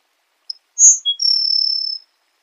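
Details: Song of a grassland sparrow: brief high thin notes, a louder sibilant note and a lower short one, then a sustained dry buzzing trill of about three-quarters of a second, in clean silence.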